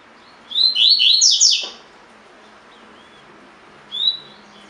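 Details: A collared seedeater kept in a cage sings in the tui tui style used for song training: a brisk phrase of sliding whistles, then silence and one lone short note.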